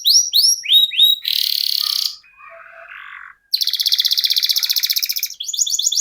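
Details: Canary in rolling 'ngerol' song: a few downslurred chirps, then long buzzy rolls separated by a soft low grating passage and a brief silence, ending in quick rattled notes.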